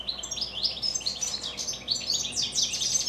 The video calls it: Evening goldfinches song.